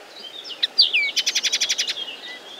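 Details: Common linnet song: soft warbled high notes and a downslurred whistle lead into a rapid run of about ten evenly spaced twittering chirps, then fading, with light background noise.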